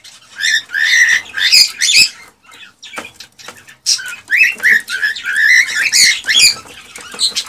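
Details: Male cockatiel singing excitedly to stimulate the female to mate and breed: bursts of chattering warbled notes and rising whistles, with a short quiet gap midway before the song resumes.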